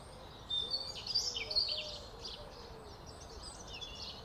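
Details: A pair of house sparrows nesting under roof tiles, out in the early April sun, give a rapid run of bright, chirpy cheeps and twitters with voices overlapping, over a low steady background hum.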